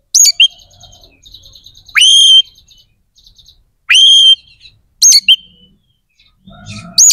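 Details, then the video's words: Singing white-rumped shama, kacer gacor, whose song is played to rouse aggression and breeding drive in other shamas; loud upslurred whistles that rise sharply and level off, spaced about two seconds apart, with soft chattering notes between. "SUARA KACER GACOR🔴 AMPUH JEBOLKAN EMOSI DAN BIRAHI KACER"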